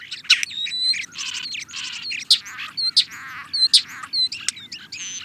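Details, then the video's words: European starling song: a dense medley of squeaky chatter, rattles, clicks and rising and falling whistles, with sharp high notes standing out every half second or so and a faint low background hum. "European Starling - Songs"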